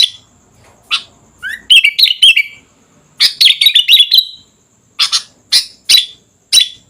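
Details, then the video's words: Sooty-headed bulbul singing: a rising whistle into a chattering warble, a longer bubbling phrase, then a series of spaced, sharp high chirps. "Suara Kutilang Gacor Dorr"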